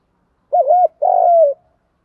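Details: Spotted dove calling to stimulate other doves: one clear low phrase, a wavering rolling double coo followed by a longer smooth coo that slides gently downward.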